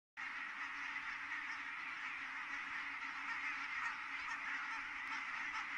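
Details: Large flock of geese landing at Kulgur, Estonia, on 4 May 2018 at 17:58: a dense, unbroken wall of overlapping honking and cackling that holds steady throughout.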